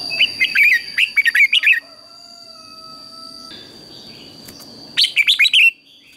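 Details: Red-whiskered bulbul morning fighting song for training birds: a lively string of warbled, slurred notes, then nearly three seconds of quiet hum, then another quick rising-and-falling burst of chirps; a steady whine persists.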